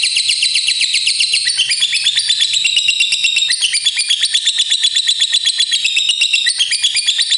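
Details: Fighter lovebird giving long 'ngekek' trilling song, used to prompt other lovebirds to sing: a continuous, rapid chatter of sharp, high notes pulsing steadily at almost three per second without a break.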